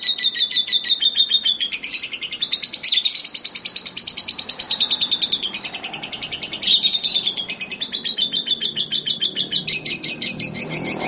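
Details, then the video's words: A pair of lovebirds tested for a singing contest: long runs of rapid, scratchy chirps at about three per second, with brief pauses between bursts and faint background noise. "Pair Lovebird School LBF Test Singing"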